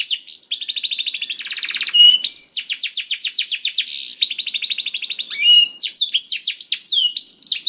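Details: Canary singing, played to coax a quiet canary into song: fast rolling trills of downward-sweeping notes, a dense buzzy roll near the start, then more clear whistled runs in changing tempo.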